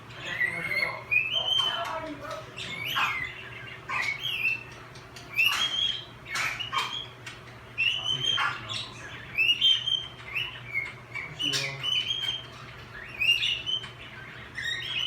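A cockatiel warbles a chattering run of bright whistles, slurred chirps and brief scratchy squawks.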